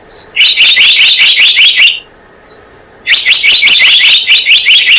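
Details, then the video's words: Two long runs of evenly spaced, shrill, high chips from a blue-eared kingfisher used as a lure, split by a second of near silence. "Suara pikat burung selendang biru"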